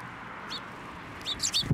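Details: Several sparrows come to a hand for food at a Tenmangu shrine in December 2023. One short chirp, then a rapid cluster of high chirps near the end, with a soft low thump.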